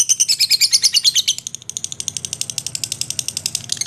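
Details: High, buzzy lovebird ngekek chatter, first dense and loud, then continuing as quicker, thinner clicking pulses repeated several times a second.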